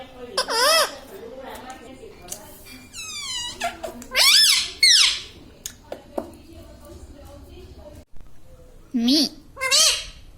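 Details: Pet parrot indoors, said to talk and say "Mummy": scattered harsh, wavering squawks and a quick falling series of whistled pulses, with pauses and soft room noise between, then two loud rising-falling squawks near the end.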